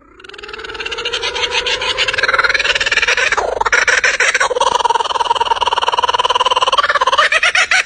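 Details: Australian kookaburra laughing call, echoing like maniacal laughter: a rising run of chuckles building into loud, rapid, repeated cackling hoots, several per second, harsh and echoing.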